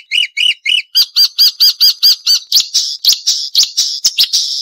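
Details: Marsh warbler singing sharp 'nembak tajam' phrases, a noise-free training recording for caged songbirds: three paired double notes, then a steady series of buzzy, piercing notes about three per second.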